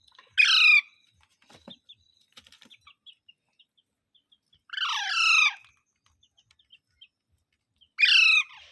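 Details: Three rough, descending parrot squawks, the middle one longer, with soft clicks and tapping heard in the pauses between them.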